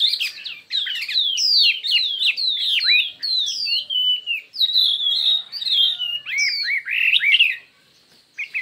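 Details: Chinese hwamei contest song in many voices: a run of steeply falling, ringing whistles repeated about every half second, then mellow sustained notes and sharper twisted phrases before a brief pause.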